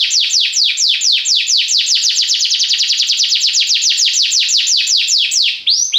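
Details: Belgian canary delivering a fast, even rolled trill of high downward-slurred notes, roughly eight per second, sustained for several seconds before a brief break and a fresh upward note, without any other sound.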